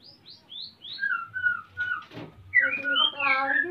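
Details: A male white-rumped shama in breeding condition, kept for breeding in Salaman, Magelang, Central Java, calls for a mate as the female nests. Clear descending whistles lead into a dense, warbled burst, with a brief rustle in the middle.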